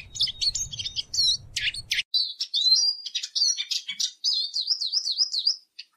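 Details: Twittering song of a Eurasian siskin, with sharp chirps and sliding whistles that run into a rapid wavering trill near the end; a low hum fades out after two seconds.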